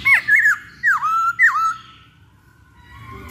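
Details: Masked laughingthrush singing as a lure to encourage birds to sing: loud harsh whistled notes, two of them swooping down then up, followed by a fading tail and quiet background.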